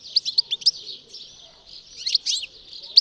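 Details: European goldfinch singing: short bursts of high, sharp twittering notes with brief buzzy slurs, a quieter pause around the middle, then a fresh cluster of bright tinkling notes toward the end.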